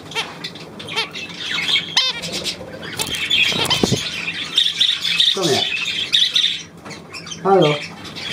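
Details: Budgerigars, 9 February 2024, chattering in a busy flock: dense scratchy warbling and short squawks, mixed with a man speaking German and a few low harmonic calls near the end.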